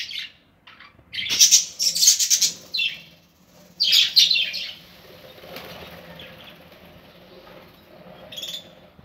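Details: Aviary budgerigars at their nests: bursts of loud, harsh screechy chatter in two clusters, then quieter scratchy chirping and a single late squawk, with a steady low hum beneath.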